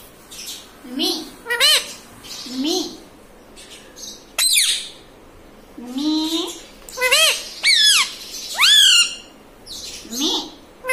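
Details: Green ringneck parrot kept as a pet, talking and squawking; short harmonic speech-like syllables alternate with sharp high rising squeaks, about a dozen bursts in quick sequence.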